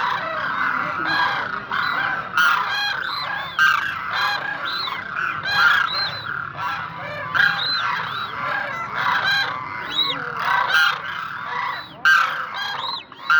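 A flock of Demoiselle cranes calling together: overlapping rolling, trumpeting croaks in a steady, busy chorus with no pauses.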